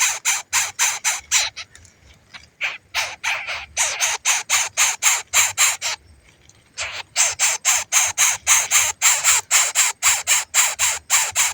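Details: Baby bird, hungry, keeps calling for its parent with rapid rasping screeches in fast regular runs, broken by short pauses near the second and sixth seconds before the harsh pulses resume.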